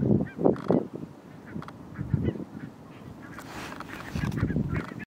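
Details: Barnacle geese by the thousands in Flevoland's Nationaal Park Nieuw Land, the Netherlands; low clustered honks and yaps overlap in a busy flock chorus, louder at the start and end, with a softer rushing stretch midway.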